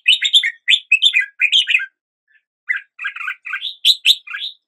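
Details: Red-whiskered bulbul song of rapid, bubbly warbled notes in two busy phrases split by a short gap, clear and close with a silent background.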